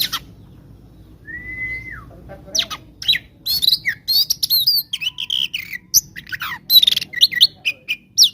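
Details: Oriental magpie-robin in konslet-style fighting song for baiting rivals: opens with one long clear whistle, then a fast run of high chirps, buzzy slurs and sharp twittering notes.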